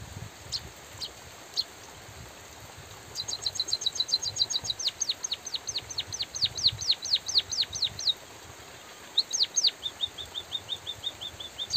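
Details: A white-headed munia sings vigorously with natural pauses while light rain hisses: scattered thin notes, then a rapid burst of high ticks running into many steeply falling whistles, a break, then soft evenly repeated chirps.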